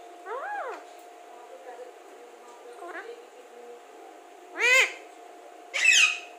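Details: Talking Alexandrine parakeet, said to speak very clearly: a soft arched syllable, faint murmurs, then two loud, harsh, rising-falling voice-like utterances about a second apart near the end, with a faint steady hum.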